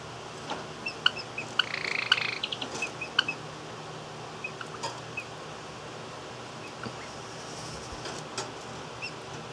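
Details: Two Java sparrows meeting through cage wire on 28 July 2017, one chirping in reaction to a hand and the other chirping in reaction to it: a quick cluster of sharp, high chips and a brief buzzy note, then scattered faint clicks and taps in a quiet room.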